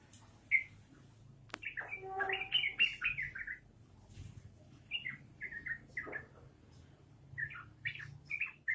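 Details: A sharp click, then a lively yellow-vented bulbul launches a rapid 'ropelan' song: a tumbling sequence of chirpy, slurred notes, then spaced single chirps trailing off, against quiet low hum.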